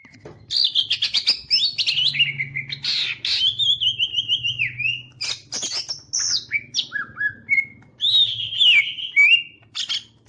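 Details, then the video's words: Green leafbird fanning its tail while singing: a varied, fast run of loud whistled phrases, sliding notes and sharp chirps, mostly high-pitched, with a steady low hum underneath. "CUCAK IJO MAIN EKOR NGIPAS"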